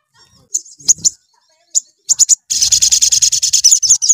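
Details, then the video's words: Sooty-headed bulbul singing to provoke other bulbuls: a few isolated sharp chirps, then an unbroken stream of rapid, evenly repeated high notes over a low rumble. "SOGON LANGSUNG EMOSI DENGAR SUARA SOGON GACOR"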